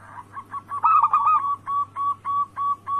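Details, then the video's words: Zebra dove of local perkutut type, recorded as a lure to provoke rival birds into calling: a rolling cooing flourish followed by evenly spaced, clipped coo notes roughly every third of a second, with a faint steady hum behind. "Pancingan harian burung perkutut Anggungan Lokal gacor suara Bikin Lawan langsung Bunyi"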